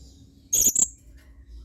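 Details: Blue-crowned hanging parrot, used as a model song for training other birds, in its 'main singa' style. Two brief, very high, shrill squeaky notes in quick succession, then quiet with a faint low hum.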